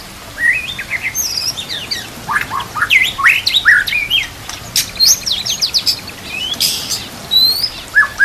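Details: White-rumped shama isian song used to train caged birds, with nature sounds and trickling water; loud rising whistles and rapid chirped phrases, varied and dense, with a few harsh sharp notes.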